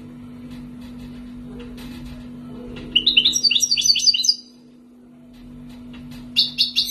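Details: Wild-origin European goldfinch, kept two years, Algeria: quiet scattered ticks give way to a rapid bubbling high-pitched twitter lasting over a second, a short gap, then another bright trill, with steady electrical hum throughout.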